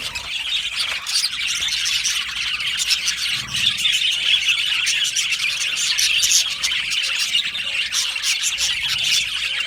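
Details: Australian budgerigar aviary colony with a long stretch of steady, dense high-pitched chattering, countless small chirps and squeaks blending into a continuous warbling din, joined by a faint low hum.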